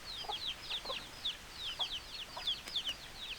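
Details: Chickens: quick, piercing downward-sliding chirps from several birds, closely spaced and overlapping, over low background hiss.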